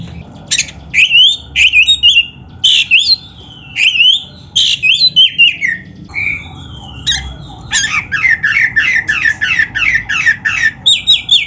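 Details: Oriental magpie-robin song intended to train young or silent kacer: long, energetic sequence of varied whistled phrases, sweeping notes and fast repeated chattering elements delivered almost without pause.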